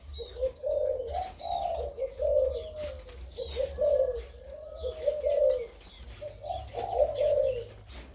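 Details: Deep-voiced crossbred dove with 2-3 'kuk' notes in kharam style, giving soft, rolling coo phrases in bursts separated by short pauses. Faint high chirps from other birds and a low hum sit behind it.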